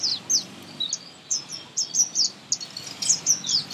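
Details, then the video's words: Sunbird, a common Indian bird, singing in a garden: loud, very high, sweet notes in quick separate bursts, short descending slurred chips repeated several times a second with brief gaps. "Song Of Sunbird"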